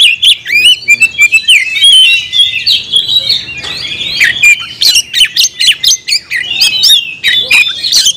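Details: Captive oriental magpie-robin delivering a loud, continuous song of varied whistled notes, twisting slurs and harsh buzzy bursts in quick succession, recorded close up.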